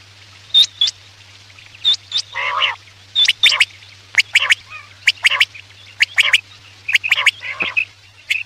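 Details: Quail lure for night hunting: spaced sharp clicks and short whistled notes, broken by a few harsh buzzy downslurred calls, with a continuous low hum.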